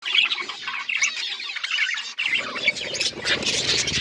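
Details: Pet budgerigars chirping together, a dense continuous chatter of high squeaky chirps and warbles from several birds, growing busier and harsher toward the end.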